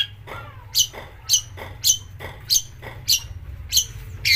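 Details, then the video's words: Long-tailed shrike singing to provoke other shrikes into song; sharp, grating notes repeat about every half second, some ending in a thin whistle, with a faint low hum behind. "pancingan cendet agar gacor||burung masteran mewah tembakan kasar keluar semua"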